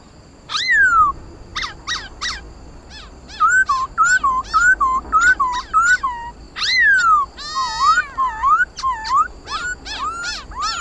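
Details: Khướu mun laughingthrush in competitive 'hót đấu' singing, played to stir pet laughingthrushes into song: loud clear whistles, some sliding down, then a run of quick looping rising-falling notes, with sharp high chips between phrases.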